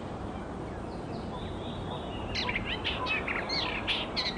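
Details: Wild Icterine warbler singing: after two quiet seconds of faint thin notes comes a quick jumble of varied high chirps, trills and short sweeps, set against a steady low background rumble.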